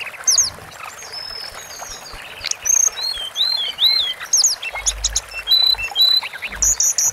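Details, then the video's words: Sunda forktail in a long masteran recording: varied high whistles, sweeping slurs and short buzzy trills. Faint low thumps sound in the background. "BURUNG TLEDEKAN GUNUNG MASTERAN DURASI PANJANG"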